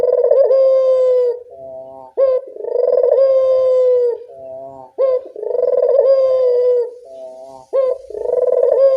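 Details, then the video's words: Barbary dove calling at dusk, used as a lure: three rhythmic cycles, each a sharp rising onset, long rolling coo and a quiet lower tail note, repeating roughly every two and a half seconds. "Suara burung puter senja hari pemikat burung puter malas bunyi"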